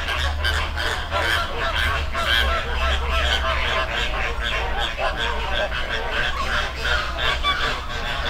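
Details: Wild flamingos gathered as a flock in a river, Dominican Republic: constant nasal honks overlapping in a busy chorus, some brief higher notes standing out, with a low background rumble throughout.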